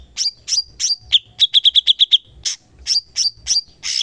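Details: Cucak cungkok in full active song, used as a master bird for training songbirds: sharp high chirps with a short fast trill of about seven clipped notes in the middle, then more slurred chirps, with no other sounds.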